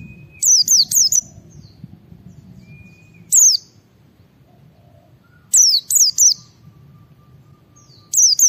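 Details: White-eye ngalas song played to stimulate other white-eyes: groups of three or four high, falling whistled notes and a lone note between them, with a faint thin tone and low background rumble.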